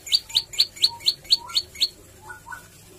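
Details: Olive-backed tailorbird (prenjak lumut) in energetic song with variations and 'tembakan'. Eight sharp, high chirps come in a rapid, even burst, followed by a pause and two softer, lower notes. A steady low hum persists throughout.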